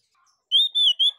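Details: Orange-headed thrush, loud ngeplong song used to get other birds singing: three smooth, pure whistled notes in a row, the first gently rising, the others level, each about a fifth of a second long.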